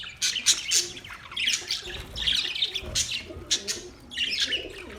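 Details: Many budgerigars in a colony setup calling at once: rapid high chirps and rolling warbles that swell and fade in bursts, some sharp individual notes cutting through, faint low background noise.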